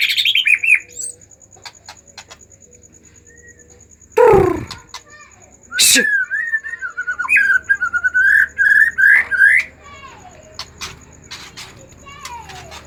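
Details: Emotional, agitated White-rumped shama, used to coax reluctant shamas into song: after a loud low thump, a long run of wavering, looping whistled phrases, then quieter clicks.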